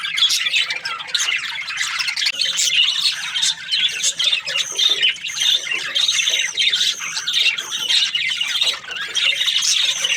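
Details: Budgerigars, the Australian parrot, chirping together: busy high warbling chatter with repeated short whistled notes and harsh squawks layered throughout, loudness rising and falling slightly.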